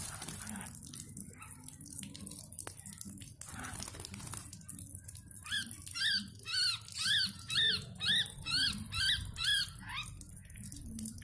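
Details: A wild-caught yellow-vented bulbul during taming gives a rapid series of short, bouncing chirps, about two per second, over steady hiss and rustling background noise.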